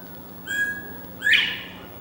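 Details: Northern Bobwhite (owner pretty sure) settled in a fenced back yard, giving its mating call around 5 in the morning: a two-note whistle, a short steady note then a louder, sharply rising 'white', over a faint low hum.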